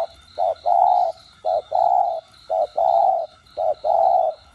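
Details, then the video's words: Spotted dove song in the 'đồng gù + thúc' style, played to get caged doves calling. Short hoot then long mellow coo, repeated steadily roughly every second, four times, with an even ticking insect-like buzz behind. "Cu gáy GIỌNG CHUẨN ĐỒNG GÙ + THÚC kích mồi tập bổi căng lửa. tiếng cu đất gáy"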